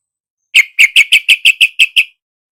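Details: Yellow-vented bulbul, used as a lure to get a caged bird that has stopped singing to answer: a quick, even run of nine loud, sharp, clipped notes, all at the same pitch, over about one and a half seconds.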